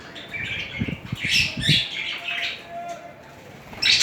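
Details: Mating budgerigars, two birds together, giving a run of harsh chirps and warbled chatter mixed with soft thumping movement sounds, ending in a sharp loud squawk.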